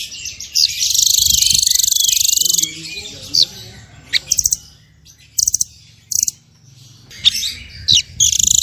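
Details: Small bird song in Indonesian masteran style, full of 'tembakan' bursts and varied phrases: a long, dense, high buzzy trill, then short sharp chirps and rapid stuttered bursts with brief pauses between.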